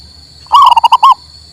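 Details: One phrase from a local male zebra dove, for stimulating a bird that has stopped singing: a rising coo running into five quick throbbing notes, ending in a longer coo.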